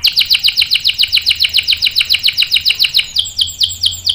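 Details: Canary singing as a lure to set other canaries off: a long, even run of rapid, repeated descending chirps, about five per second, slowing slightly near the end.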